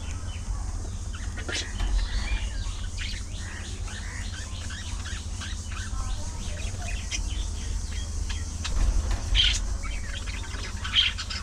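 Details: A social budgerigar colony with continuous soft chattering chirps and warbles from several birds, a few sharper notes near nine and eleven seconds, constant low hum beneath.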